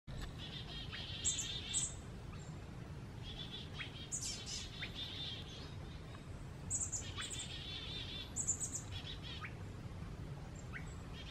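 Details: Several songbirds mobbing a screech owl give sharp, high chips and buzzy scolding bursts in irregular clusters against a steady low rumble.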